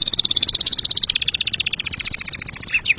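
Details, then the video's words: Canary producing a long, rapid, evenly pulsed high trill of bright repeated notes that gradually slows and softens, ending with a couple of quick downward-sliding chirps. "Canary bird sound for montage / صوت الكناري للمونتاج"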